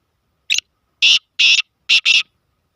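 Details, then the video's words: Harsh, buzzy call of a black francolin (kala tetar): a short opening note followed by two long grating bursts and a quick closing pair, all evenly loud and rasping, with no other sounds. "kala tetar ki awaz- black francolin voice"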